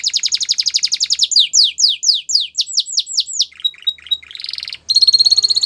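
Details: Canary gives a fast high roll, then slower, louder downslurred whistles, a brief buzzy phrase and a steady trilled ending.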